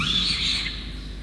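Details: Peregrine falcon chick begging while its parents feed it a soaked starling, Orange, New South Wales, Australia, November 2021; one harsh, sustained, slightly wavering wail fading over a second above a constant low hum.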